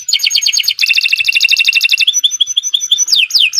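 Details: Canary in nonstop gacor singing. Very rapid chattering trills run in quick succession, then high thin whistled notes, and finally several loud downward-sweeping whistles near the end.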